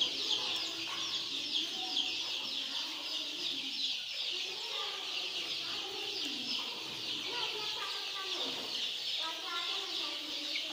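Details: Many farm chicks keep up a steady chorus of shrill, overlapping peeps, broken now and then by short, lower, clucking phrases from other birds.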